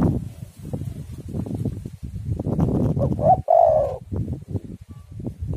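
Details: Spotted dove song used as a lure to prompt other doves to sing, recorded in stormy wind. A single cooing phrase stands out midway over a steady low rumble of wind noise.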